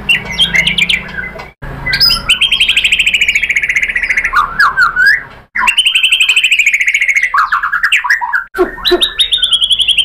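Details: White-rumped shama song used to provoke other birds: loud sustained runs of rapid repeated high notes broken by brief silences, with slurred whistles and downward-swooping phrases between them.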